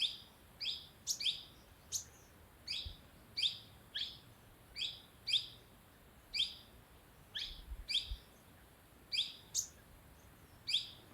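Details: Sunbird calling near a homestay in Dehradun, Uttarakhand: sharp, high chipping notes given singly or in quick pairs, roughly every half second to second, steady throughout with no other clear sounds beyond faint low background rumble.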